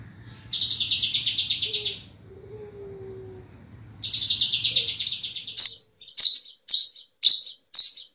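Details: Singing Javan bushlark from a 2022 compilation of training recordings for kept birds: two fast, buzzy pulsed trills, then a series of five sharp, high, clipped notes spaced about half a second apart.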